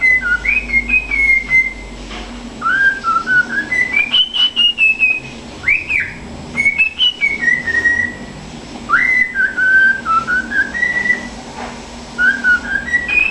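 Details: A pet cockatiel whistles the anthem of Santos Futebol Clube, a learned melody in clear, sliding phrases with brief pauses, keeping the rhythm with its foot.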